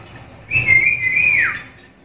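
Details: Black-capped lory, a call said to be rare among other lories and suited for training songbirds: a single clear, level whistle held about a second, then dropping at the end, over faint low room hum.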